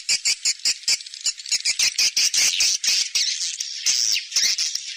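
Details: Swiftlet lure sound, 'seruling sakti' style, meant to draw birds into a nest house: bursts of high squeaky chatter broken by quick clicking pulses.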